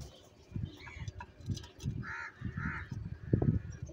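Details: Several crows squabble over food while eating cheese. Two drawn-out raspy caws follow each other closely, with faint calls and repeated dull low knocks and thuds underneath.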